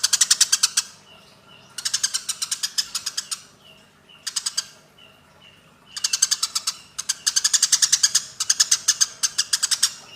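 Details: Eurasian tree sparrows fighting, recorded as a training recording for cage birds: rapid bursts of harsh chirps, each volley of eight to twelve notes, repeated about every second or two, with thin faint whistles between.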